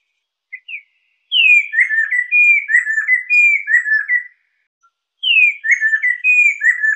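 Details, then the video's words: Poksai lesser, the chestnut-capped laughingthrush, singing for lure and tutor use: clear whistled notes in quick slurred sequences, a long run of about three seconds followed by a pause and another rising whistled phrase. "SUARA BURUNG POKSAI LESSER || Cocok buat pancingan dan masteran"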